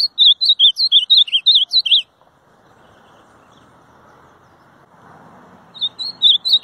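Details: Ultramarine grosbeak song in two parts: a fast run of about a dozen bright, twisting whistles over two seconds, a pause filled with faint hum, then the bird starts another warbled phrase.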